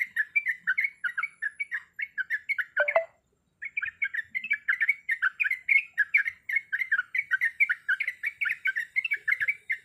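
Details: Female sooty-headed bulbul in heat calling to the male, pouring out rapid chattering whistled notes, interrupted once by a sharp louder note and a short silence before the fast chatter resumes.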